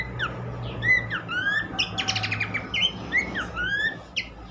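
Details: Horsfield's babbler giving sweeping whistled notes and one harsh rattling burst against a noticeable background hiss and low rumble.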